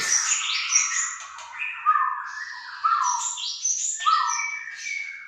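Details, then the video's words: Aceh white-rumped shama singing energetic phrases: high rapid chatters mixed with strong, clear whistled notes that swell and drop, repeated in bursts across the clip. "Murai Batu Aceh"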